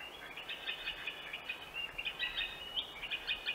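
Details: Green sandpiper from Central Russia giving a rapid, restless stream of sharp, high chirping notes, several each second, over a faint steady hiss.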